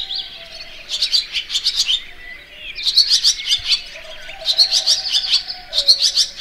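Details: Barn swallow twittering in bursts of rapid, high chirps, each bunch lasting about a second with short pauses between, a faint low hum underneath.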